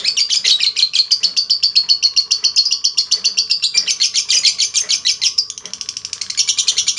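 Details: Lovebird giving a long chattering trill, used as a lure to make other lovebirds sing, a dense, rapid run of harsh high notes pulsing several times a second without a break, with faint room background.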